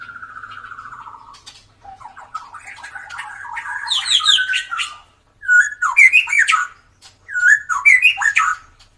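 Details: Drooping-tailed white-rumped shama singing actively, used as a lure for birds that seldom sing: a rapid trilled whistle, then a building run of notes into loud, swooping, fluty phrases repeated in three bursts with brief pauses.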